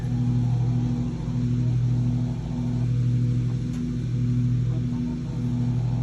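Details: Loud idling engine hum with a pulsing low drone that rises and falls slowly.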